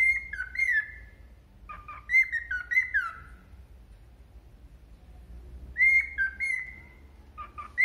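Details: A cockatiel sings clear whistled phrases that rise and fall, mixed with short speech-like sounds, talking "Mônica" and somewhat worked up at a companion.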